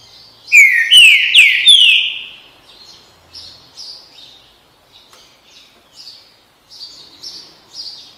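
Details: Green-winged saltator, song type called "bom dia seu chico": a loud, rich burst of four downslurred whistles in quick succession, then a run of much softer, higher chirping notes spaced about every half second.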